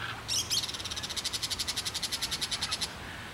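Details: Crested caracara (carcará) giving a steady, rapid series of dry clacking pulses for about two and a half seconds, opening with a short scratchy note.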